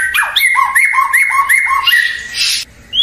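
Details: White-rumped shama (murai batu) song meant to provoke rival shamas into answering: loud whistled notes each ending in an upward flick, repeated about every third of a second, then a harsh rasping burst.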